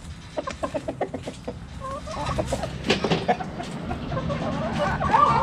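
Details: Backyard hens clucking around a cabbage: a quick run of evenly spaced short clucks, then overlapping nasal calls and a rising drawn-out squawk, over a low background hum.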